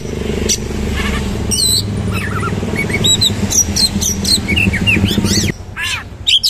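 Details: Oriental magpie-robin (kacer) singing energetically in rough-material style with rapid rolls and rich fill: sharp whistled slurs and upswept chirps in quick bursts over a steady low engine-like hum, then a brief quieter pause.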